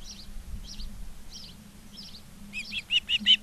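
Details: Osprey at a nest in Charlo, Montana, 19 August 2023, afternoon; soft chirps spaced about every half second, ending in a quicker run of louder, sharp whistled notes, over faint low hum.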